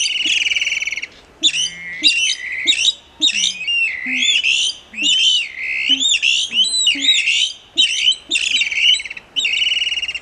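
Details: Plumbeous Rail vocalizing at full voice: a continuous run of loud, shrill, grating squeals and yelps in rapid irregular bursts over ten seconds, clear and close, with no background sounds.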